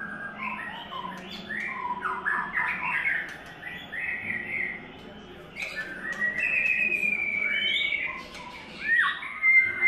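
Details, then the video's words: White-rumped shama in its third molt pouring out a long varied song: rapid warbled bursts, then sustained bright whistles and a sharp looping high note near the end. Faint low background noise. "White Rumped Shama – “Imagine by Falcon” - 3rd Molt"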